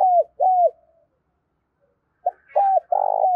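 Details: Lure calls of a spotted dove for trapping wild birds: two rounded coos, a pause of over a second, then a short note, an arched coo and a long sustained coo, with faint higher chirps.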